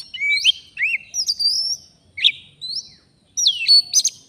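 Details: Oriental magpie-robin from the forest, drawn in by a fighter decoy while being trapped, gives spaced phrases of clear slurred whistles, some rising, some dropping, separated by short silences.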